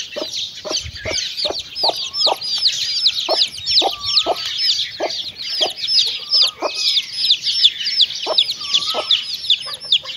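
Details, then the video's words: Mother hen with her chicks while eating: a dense, continuous stream of high, downward-slurred chick peeps over short, low, regular hen clucks, several per second, with a few longer slurred whistles. "Chickens and chicks eating sound"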